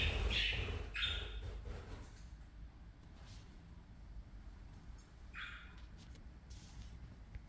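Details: Parakeets at play time give a few short, harsh chirps and squawky notes in the first second and again near the end, over a steady low rumble of room noise.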